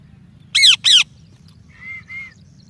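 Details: A parrot gives two loud, harsh squawks in quick succession. After a short pause come two softer, level whistled notes, over a low background rumble.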